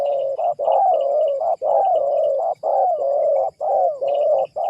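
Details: Spotted dove call used as a lure to bring wild doves down: near-continuous low, mellow cooing in long phrases with brief breaks, faint high chirps of small birds in the background.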